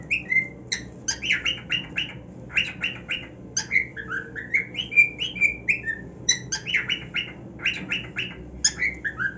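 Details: A happy cockatiel on his new nest mixes harsh, buzzy squawks in quick clusters with clear gliding whistles, the rough bursts and melodic notes alternating.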